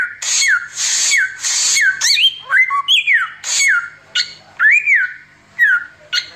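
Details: Oriental magpie-robin in 'tembakan samyong' song for tutoring: opens with three harsh hissing bursts each ending in a falling whistle, then varied upslurred and arched whistles.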